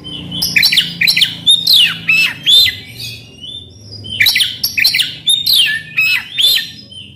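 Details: Oriental magpie-robin in full song, kept as a cage bird, used to provoke a silent bird to sing: loud varied phrases of whistles, sweeping slurs and harsh squawky notes in bursts, with a short pause midway.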